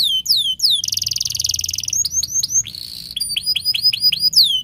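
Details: Caged canary singing a long, lively song used to train young canaries: quick falling whistled notes, a buzzy rapid trill, then repeated high chirps and sweeping whistles.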